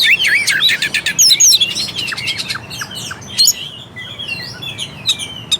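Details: Song of the Oriental magpie-robin, played to trigger a quiet bird into singing and fighting spirit: rapid rich warbling and chattering notes at first, fading into softer scattered chirps.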